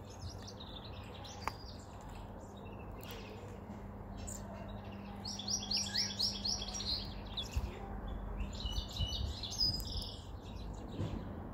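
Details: Caged white-chinned male European goldfinch, wild-caught five months earlier, singing toward spring: scattered chips, then fast repeated tinkling, buzzy notes in runs, over a steady low hum.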